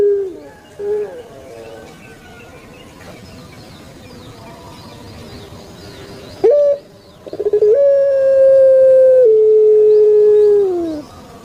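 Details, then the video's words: Caged puter pelung turtle dove, a bird popular on Java in Indonesia, delivering its long cooing: quiet opening coos, then a sharp note followed by a long flat low tone held several seconds that sinks at the close. "𝙋𝙐𝙏𝙀𝙍 𝙋𝙀𝙇𝙐𝙉𝙂 𝙎𝙐𝘼𝙍𝘼 𝘼𝙎𝙇𝙞 𝙋𝘼𝙉𝙅𝘼𝙉𝙂 𝙆𝙒𝙊𝙆 𝙏𝙀𝘽𝘼𝙇"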